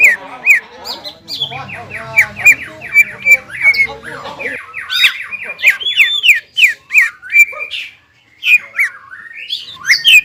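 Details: Greater green leafbird in agitated jamtrok and ngobra song: long stream of rapid squeaky chattering notes, roughly two to three a second, with a short gap near the end.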